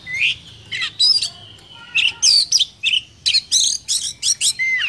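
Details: Vietnamese Oriental magpie-robin lure song for provoking other birds to sing, with varied sweet whistles, rising and falling slurs and sharp chirps, delivered in fast successive phrases with short gaps and a quiet low background hum.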